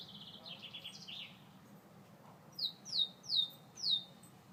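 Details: A Gloster canary sings. Soft warbled phrases open the song, then after a short pause come four loud, separate, sweeping downslurred whistles, spaced roughly every half second, against a faint low background hum.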